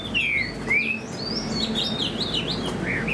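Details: Spread-tail Chinese hwamei kept as a cage bird gives two long downslurred whistles, then a flurry of higher wavering notes that end in lower whistles.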